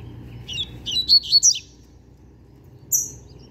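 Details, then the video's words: Trained song of a young novice double-collared seedeater with its tutoring complete: a quick phrase of four or five sharp, high, clear notes in about a second, followed after a pause by a single bright high note. "Papacapim Novato Cantando Bitolado!!!"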